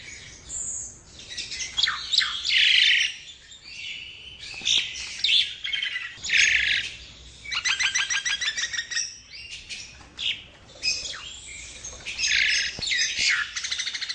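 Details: Nias hill myna song for use as a master recording or lure: varied harsh squawks, rasping bursts and rattling trills in uneven sequence, with brief whistled notes.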